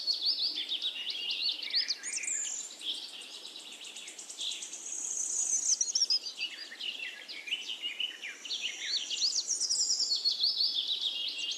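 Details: Nightingale in a forest alongside other singing birds, delivering high varied phrases of sliding whistles, rapid rattling note series and sharp chirps with short pauses between phrases.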